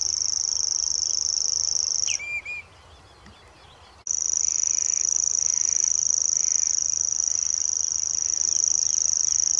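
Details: Grasshopper warbler at RSPB Middleton, 17 May 2021, reeling a long high steady trill. The reel breaks off for about two seconds while another bird gives a few short whistled notes, then resumes unbroken.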